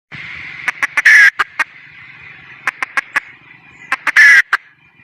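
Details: Wild junglefowl hen calling: a few short, spaced clucks build to a loud, harsh, drawn-out squawk, and the pattern repeats about three seconds later. A steady high insect-like hum runs underneath throughout.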